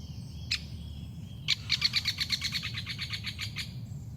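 Great Spotted Woodpecker: two sharp, high 'kik' notes, then a fast run of about a dozen clipped, harsh notes. A low room hum sits underneath.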